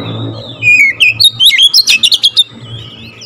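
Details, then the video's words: Oriental magpie-robin therapy song to provoke rivals, a quick run of bright wavering whistles and short stuttered notes, repeated rapidly, with low rumbling noise behind. "TERAPI KACER LAIN LANGSUNG TERPANCING EMOSI GACOR DOR"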